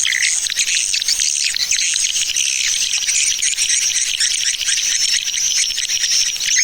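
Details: 'Tarik Permata' lure sound for swiftlets: busy, high-pitched chattering twitters with a few lower chirps at the start and bright whistles running through.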